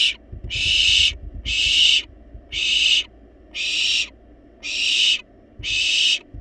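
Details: Hoarse, breathy screeches from wild barn owl chicks in a nest box, pleading for food even though well fed, come in a steady series roughly one per second, with faint shuffling beneath.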